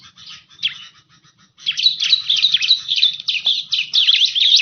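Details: Bar-winged prinia lure sound: faint thin chips at first, then loud continuous high chattering of rapid twittering notes and short sharp trills.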